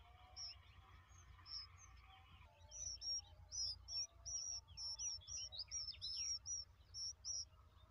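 Bulbul chicks give thin, high chirps in a rapid, uneven series that swells after a quieter start, over a low steady hum.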